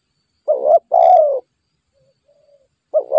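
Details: Wild spotted dove heard during decoy trapping, where it turns aggressive toward a skilled lure bird. It gives a short rising coo, then a longer falling coo. A faint soft coo follows, and another call begins at the end.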